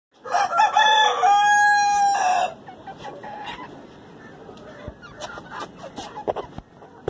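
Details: Black Rosecomb chicken crowing: one long crow of about two seconds, a short rising opening note and then a steady, slightly falling held tone with rich harmonics. Low rustling and faint clicks follow.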